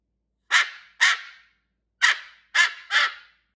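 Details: Five short, harsh, rasping squawks from a pet cockatoo snuggled against its owner, coming in two pairs and a final burst, each call breaking off sharply with quiet between.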